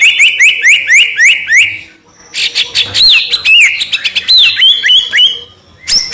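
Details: Masteran of white-rumped shama song meant to draw replies from other shamas: a rhythmic series of rising chirped whistles, then a harsh rattling passage with looping whistled notes and a final high note.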